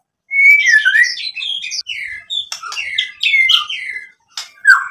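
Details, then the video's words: White-rumped shama in full varied song, used to stir other shamas into singing: rapid sequences of clear whistles, slurs and chattering notes with sharp clicks, broken by two short gaps. "SUARA MURAI BATU Untuk Memancing BUNYI jadi NYAUT GACOR"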